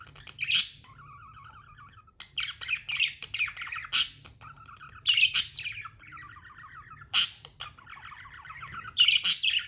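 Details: Budgies kept as tame pets chatter continuously, loud harsh squawks every second or two breaking through a softer running warble of buzzy, vibrating notes; faint low electrical hum throughout.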